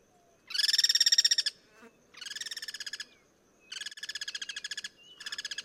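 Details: Wild Guira cuckoo cross-singing: four loud bursts of fast, grating, evenly pulsed notes, each about a second long, separated by short silences, alternating between stronger and weaker singers.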